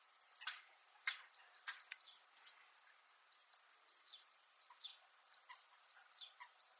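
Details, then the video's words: Zitting cisticola (Fan-tailed Warbler) on Miyako Island, Japan, giving a metallic sound: a few rasping notes, then sharp high clicking chips repeated about four times per second in a steady series. "セッカの金属的な鳴き声 Fan-tailed Warble makes a metallic sound"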